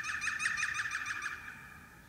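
A European green woodpecker gives a fast laughing series of about eight ringing notes, evenly spaced and fading away toward the end.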